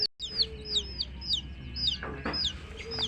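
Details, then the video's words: Several baby chicks of a hen peep rapidly, sharp falling high notes overlapping in quick succession, roughly two each second, over a low steady hum and a few soft knocks. "Witty MURGI Baby "Chicks Chirping" Sound"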